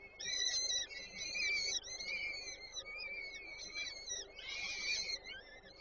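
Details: Peregrine falcon chicks being fed by the female at their Warsaw Żerań nest on 8 May 2023: continuous high, quavering whines rising and falling, swelling into a louder chorus toward the end.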